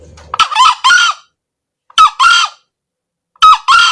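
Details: Crowing of a male green junglefowl, used to lure birds for trapping: three hoarse two-note crows roughly every one and a half seconds, each a short rough syllable followed by a drawn-out raspy one, with near silence between.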